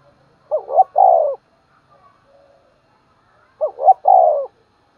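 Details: A captive lure spotted dove cooing in the morning to bring in wild doves. Two identical phrases about three seconds apart, each a pair of short rising notes ending in a long mellow coo, with silence between.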